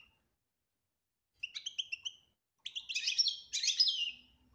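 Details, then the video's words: European goldfinch song in the betbta style with tasfia, played to bring a silent goldfinch into song: after a quiet start, bright twittering phrases with rapid liquid trills, then a denser burst of tinkling notes. "بتبتة روعة انتى ولمال نتاعها بتبتة وتصفية الكلام حسونك حايخرج من صامتو"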